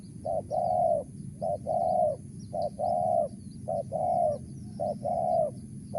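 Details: Steady series from a wild tekukur, the spotted dove, in mersik style: about five regular pairs of short and long mellow coos, evenly spaced about once a second.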